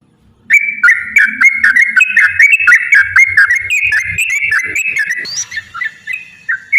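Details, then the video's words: Yellow-vented bulbul (trucukan) in a long rapid 'ropel' fighting-style song, used as a lure to make other bulbuls sing: a fast chatter of bright whistled notes, wavering up and down, with faint low thumps beneath. "trucukan gacor TARUNG ROPEL PANJANG pancingan trucukan agar bunyi"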